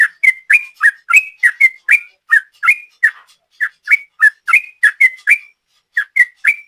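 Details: Sooty-headed bulbul in ropel style, a lure recording: fast chattering string of slurred whistled notes, briefly interrupted twice, then resuming at the same quick pace, with no other sounds.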